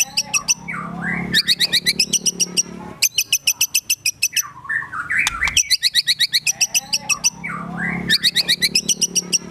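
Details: White-rumped shama singing agitated gacor emosi song with mimicked phrases: long bursts of very rapid sharp ticking notes, almost four per second, between softer warbles, over a low background hum.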